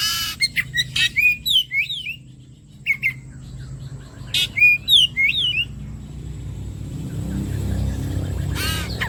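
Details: Kacer (Oriental magpie-robin) song played as bait to get birds singing: quick runs of whistled, slurred notes and sharp chirps over the first five seconds, then a steady low rumbling background noise takes over.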